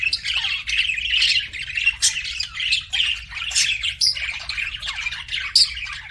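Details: Budgerigars, several birds, chattering together in a steady, busy stream of scratchy, warbled chirps and short squawks, with brief louder bursts near two and six seconds and hardly a pause.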